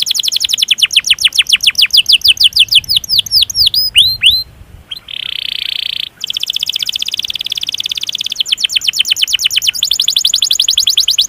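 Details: Canary training song with a long roll, calling out rivals. A fast trill of down-slurred notes slows into hooked whistles, pauses, then gives a steady buzzy tone followed by a long, even rolling trill.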